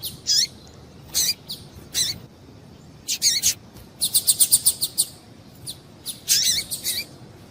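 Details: Female double-collared seedeater giving its male-exciting call: loud, high, downslurred chips, then a fast, even burst of about eight short ticking notes, followed by more scattered chips over faint hiss.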